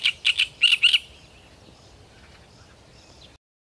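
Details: Great reed warbler singing intently: five loud, harsh, grating notes in quick succession during the first second, then only faint, softer sounds against a quiet background.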